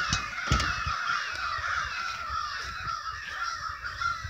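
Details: Many crows calling together in a stirred-up flock outside a house: dense, overlapping raucous cawing that never pauses, some low thumps and handling noise beneath the din.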